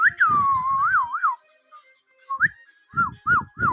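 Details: Pet ringneck parrot, a talking bird, giving fluid whistled phrases that rise and dip in wavy loops, then after a pause short upturned whistles in quick succession, each with a soft low voiced undertone.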